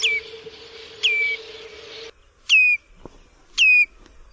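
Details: Common redshank giving four piercing whistled calls, each a quick downward slide ending in a flat note. A low steady hum sounds through the first half, then quiet between the last two calls.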